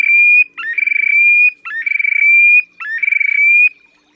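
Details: Displaying Terek sandpiper at Lipovaya Gora, Oka Nature Reserve, Russia, spring 2019: three rhythmic phrases about a second apart, each a quick upslur, a rattling pulsed stretch, then a smooth whistled tail that rises slightly.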